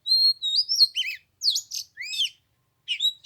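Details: Oriental magpie-robin singing on the third day of Lunar New Year in 15-degree cold: clear whistled phrases that rise and fall, then quick slurred and buzzy notes, a pause, and a final whistled run.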